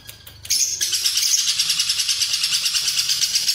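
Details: Lovebird launching into a long Cililin-style ngekek for tutoring show birds: after a half-second lead-in, continuous shrill chattering trills pulse steadily, several per second.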